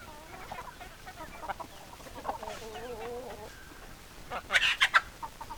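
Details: Hens clucking, soft clucks followed by a drawn-out wavering tonal call, then a loud sharp squawking burst near the end, with background hiss.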